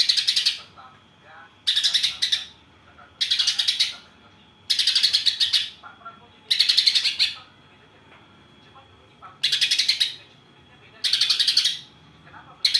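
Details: Greater green leafbird delivering tree sparrow imitations: a steady series of eight loud, harsh chattering bursts, each of rapid pulsed notes lasting about half a second to a second, repeated roughly every one and a half seconds.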